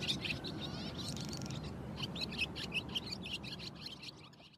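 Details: Barn swallow singing a rapid, twittering stream of chirps and warbled notes with a brief dry rattle, over steady low rumbling background noise.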